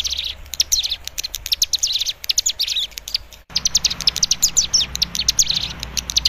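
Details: Young Hill Prinia, called cigun, learning a lure song to get an untrained bird singing: energetic chattering of sharp high notes and short trills, a brief pause, then an equally busy second burst.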